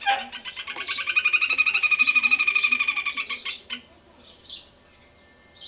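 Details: A Rufous hornero in a tree beside a house on a small farm gives a loud, ringing run of rapid sharp notes, about eight per second for two seconds, then fades, followed by a few faint chirps.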